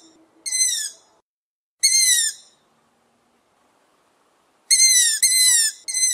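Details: Young long-eared owl uttering rasping, high-pitched squealing calls, each about half a second long, in irregular bursts of one or two with gaps of several seconds between, against an otherwise quiet background.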